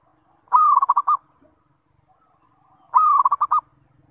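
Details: Zebra dove (perkutut) lure song meant to set other zebra doves singing: two identical coos about two and a half seconds apart, each a held note followed by a string of quick staccato beats, near silence between.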